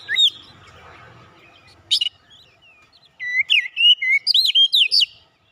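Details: Oriental magpie-robin of fighter character giving scattered sharp notes, then a lively run of rising and falling whistled notes repeated rapidly near the end.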